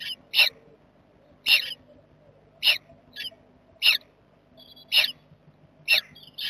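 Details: A jackdaw family in their nest box, recorded 7 May 2020, uttering crisp, short, high squeaks roughly once a second, including one sharp click, over a faint low background hum.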